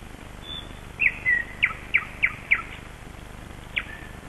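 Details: Birdsong at early dawn on 21 May 2012 in Kasmu at sunrise: a series of short sharp descending chirps about three per second, with a thin whistled note between, over quiet rural background hiss.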